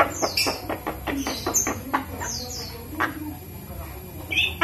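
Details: Young captive Javan myna, five months old, practising human speech it is being taught. Voice-like harmonic syllables in quick uneven succession, with thin high sweeping whistles overhead and a loud note at the end.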